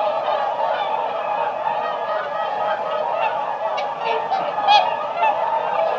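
A flock of swans keeps up a dense, steady chorus of overlapping nasal honks, with a few louder, clearer calls rising above the rest near the end.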